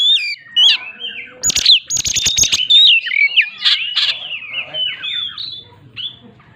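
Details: An Oriental magpie-robin delivers a 'shooting' roll song aimed at rivals. It opens with clear whistled notes, then a cluster of loud, rapid, harsh rattles, followed by varied sliding whistles that fade toward the end.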